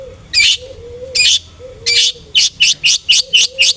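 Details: Long-tailed shrike used as a lure to make other birds sing aggressively: harsh broadband rasping notes, three spaced, then a faster run of six short bursts, with a faint low whistle between them.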